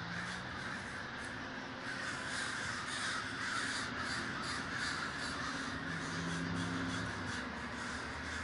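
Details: A large communal gathering of crows in Davis, California: a dense, continuous wall of overlapping harsh caws from many birds, with no single caller standing out and a steady roar of sound throughout.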